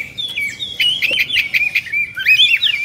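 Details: Oriental magpie-robin (kacer) in an agitated 'emosi/kongslet' state, fluffing and spreading its tail, singing a fast run of clear whistled notes that bend and warble up and down, with short harsh buzzy bursts mixed in.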